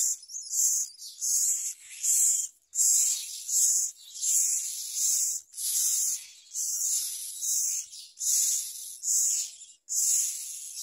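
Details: Young myna begging as its parent brings a large blue caterpillar to its mouth, giving a long series of harsh, hissy rasping bursts, each under a second, repeated steadily with brief gaps between.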